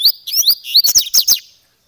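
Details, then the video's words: Coleiro (double-collared seedeater) with grego paulista gravata style singing: a quick, loud string of about ten high whistled notes, each swooping up and down, closely spaced and ending abruptly in silence. "Melhor Coleiro Grego Paulista Gravata"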